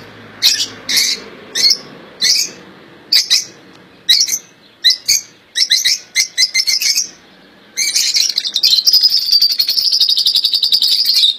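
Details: Caged European goldfinch, called royal goldfinch, with song said to be faultless: a series of separate sharp chirps spaced about half a second apart, then a sustained fast buzzy twitter at the end over a faint low background hum.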